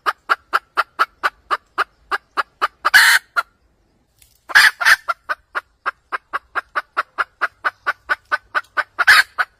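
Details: Cackle of a red junglefowl hen, the sound used in trapping: rapid regular clucks interrupted by harsh noisy squawk bursts, a brief silence, then more squawks and a fresh run of clucks.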